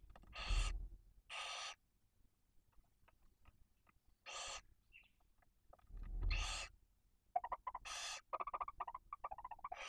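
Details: Barn owls nesting in Cabañeros National Park, Spain: a female brooding two chicks aged one and four days, with the male supplying prey. Broad, rasping hisses repeat every one to two seconds, ending with soft, rapid chittering.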